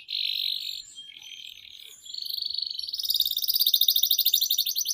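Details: Canary song meant to trigger and tutor young canaries, quieter here: a buzzy sustained warble, a softer dip, then a rising rapid pulsed trill growing louder toward the end.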